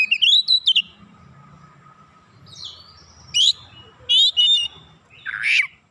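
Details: Oriental magpie-robin in lively song, used as a lure for other magpie-robins: an opening cluster of quick whistled notes, then a long pause followed by several separate sharp, bright phrases and a buzzy final note.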